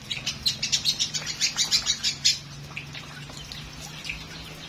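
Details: Lovebird in full song: a quick run of piercing chirps packed together for about two seconds, then scattered softer notes over a quiet background.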